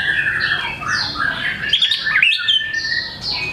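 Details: White-rumped shama singing steadily, overlapping whistled phrases and chattering notes with short sharp mimicked bursts midway, dense and continuous throughout.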